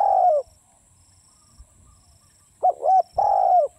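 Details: Spotted dove: a long falling coo ends one phrase, followed by two seconds of quiet. A fresh phrase then begins with a quick double-humped note and a sustained mellow coo.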